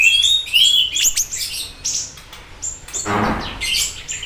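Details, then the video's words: Chatty siri-siri bird singing as a prompting and tutor recording: rising thin whistles and quick chirps, then a rougher, broader burst near the end followed by more high notes. "Pancingan Dan Masteran Burung Siri Siri Gacor Dor"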